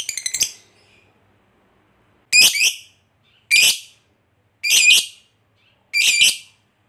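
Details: Lovebird, used as a lure to provoke fighter lovebirds: short harsh screeching bursts about half a second long, spaced one to two seconds apart, five in total with silence between.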